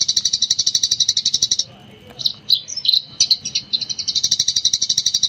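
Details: Gecor-style Eurasian tree sparrow master recording for training other birds: long bursts of rapid, evenly spaced high chirps, about four a second, broken midway by a brief pause and some irregular twittering notes before the fast chirping resumes.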